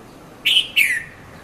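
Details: Red-vented bulbul in Mount Lavinia, Sri Lanka, at dawn, 5:30 to 5:40 a.m.: a single brisk two-part call, a bright steady chirp followed by a downward-slurring note, over quiet background.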